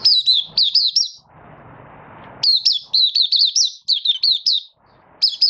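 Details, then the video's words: Malaysian Oriental white-eye, a caged bird beginning its song, in light moult and building form, 24 August 2023: strings of fast, high, wavering twittered notes in repeated bursts, with a brief low rustling noise between phrases. "Malaysian Mata Puteh Buka Sing"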